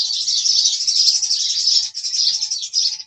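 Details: House sparrows in a continuous chirping chorus, dense shrill chirps running almost without a break, many birds calling at once, with a faint hum beneath.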